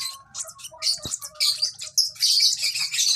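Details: Young lovebird giving rapid, high, squeaky chirps that run together into a busy, scratchy chatter over about three seconds, with a soft low rumble beneath.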